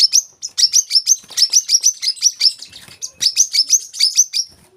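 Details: Olive-backed sunbird, locally kolibri kelapa or manggar, recorded as a tutor track for untrained birds: a continuous string of high, piercing chirps in quick regular runs, briefly pausing near the middle before resuming.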